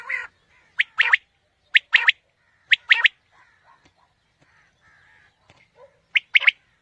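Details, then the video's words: Quail calling to lure quail for hunting in the morning. Three loud triplet phrases of clipped notes, then a few seconds of faint soft chatter, then one more sharp phrase. "Batair ki new Awazay| Quail Calling 2020 | Batair Ki Awaz suba ki shikar Ki liye|Saaf Batair Ki Awaz"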